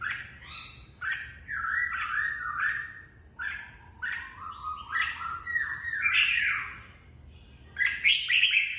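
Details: Red-whiskered bulbul song used to train wild-caught birds' voices and rouse birds for cage fighting contests; rich, slurred whistled phrases with buzzy overtones, delivered in bursts every one to two seconds, over a faint low hum.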